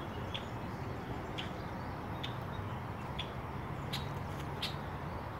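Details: A Red-winged Blackbird dive-bombing a person near its nest gives six sharp, clipped alarm notes, roughly one a second, scolding to defend the nest over a steady low wind rumble.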